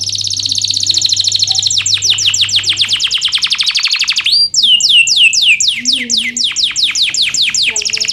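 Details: Canary singing to train lazy canaries: a long fast buzzy trill, then an accelerating run of descending chirps, a single upward whistle, and regular downslurred notes about four per second; low hum at first.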